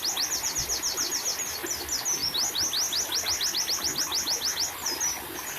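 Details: White-eye song used as therapy to get captive birds singing: a long, fast series of thin, high, downward-slurred notes, about three or four per second, over a steady hiss like running water.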